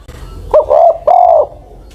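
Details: Old spotted dove used as a ground decoy, aged over ten years, giving one cooing phrase: a brief sharp opening note followed by two smooth, sustained, slightly falling coos.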